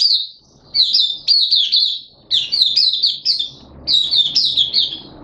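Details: Malaysian Oriental white-eye (mata puteh), a kept songbird singing happily in open 'buka' style, February 2023: bright, high-pitched chattering notes tumbling quickly in two long runs, each note slurring downward, separated by a brief pause.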